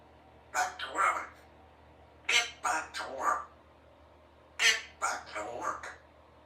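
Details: A female Congo African grey parrot, aged three and kept indoors as a pet, practising words: three bursts of quick, speech-like syllables in clusters of two to four, with a low hum underneath.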